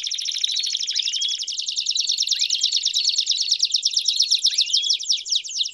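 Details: Canary singing to encourage other birds to sing and to tutor young ones, a dense rapid trilled warble with repeated upward-swooping notes about every two seconds.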